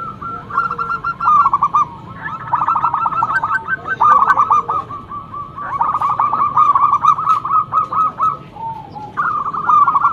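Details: Zebra dove of a local strain, loud and used to lure others into replying, sings repeated rolling phrases of quick throaty coos, each burst of stuttered notes separated by brief gaps.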